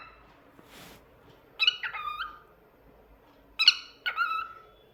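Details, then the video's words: Singing pet cockatiel, kept as a talkative bird, uttering two clusters of strong harmonic whistles that slide downward, with a soft rustle early on and quiet room tone between calls. "Cockatiel Talkative Bird 🕊️ Rio Adorable Singing"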